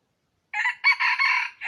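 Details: Wild red junglefowl rooster crowing, recorded 23 April 2023, a call used to lure wild chickens: a short harsh opening note then a longer loud strained syllable, broken and clipped at the end, on a silent background.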